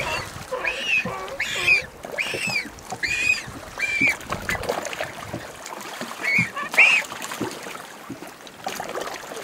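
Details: A Galápagos penguin fledgling begs while being fed by its parent, giving harsh, nasal squawks, five in quick succession about a second apart, then two more after a pause, over faint background rumble.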